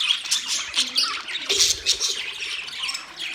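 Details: Short stretch of caged budgerigars chirping, sharp high squeaks and rasping little calls tumbling over each other, one louder scratchy outburst in the middle.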